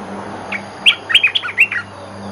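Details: Olive-winged bulbul lure song, bird singing actively: a quick bubbly phrase of about six warbled, slurred notes rising and falling, with a faint steady hum behind.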